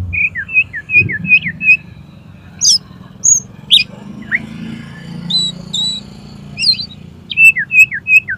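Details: Oriental magpie-robin singing a challenge to another kacer to fight, tail spread open: opening run of five repeated sweet whistled notes, varied chirps and flat whistles in the middle, then the repeated whistled series again; low hum behind.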